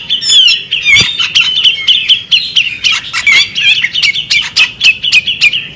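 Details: A female bearded magpie robin keeps up a lively stream of sweet chirps and wavering whistles, each burst short and closely spaced, with one low knock early on.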